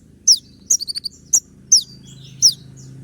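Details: Brown-throated sunbird (kolibri ninja) singing tembak-style: bright high downslurred notes and a short clipped rattle of four notes, over a steady low background rumble.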